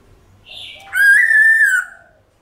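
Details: White-cheeked laughingthrush forest-style song, played to stimulate pet birds to sing: a single long, sustained whistled note held steady for about a second after a softer lead-in.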